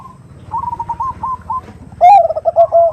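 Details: Nutut call of a female zebra dove summoning a male: a soft run of trilled whistles, then a louder, lower burbling coo, over a low rumbling background.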